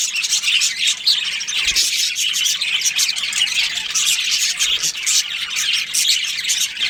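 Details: Budgerigar breeding colony: thick overlapping chirping and warbling chatter, high and bright, running continuously, with a couple of faint low bumps.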